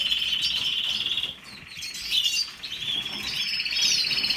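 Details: Canary song starting with a bright rolling trill, a brief pause, then resuming with quick chirps and twittering notes.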